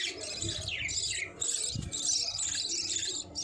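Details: Several budgerigars chirping and warbling together, a dense stream of high, scratchy twitters and quick descending whistles with no pauses, plus a brief low thump near the middle.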